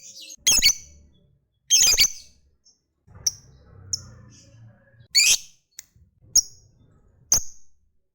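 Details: Lovebird, a fighter-type bird, mixing loud grating squawks with thin ticks to urge other lovebirds to sing. Two long rasping bursts open, then scattered sharp chirps and another harsh burst follow over faint rumbling.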